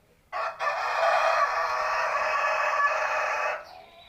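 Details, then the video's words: A 7-month-old village chicken lets out one long, loud crow lasting about three seconds. It is harsh and full-toned, holds steady, then cuts off sharply. "cek suara ayam buras usia 7 bln"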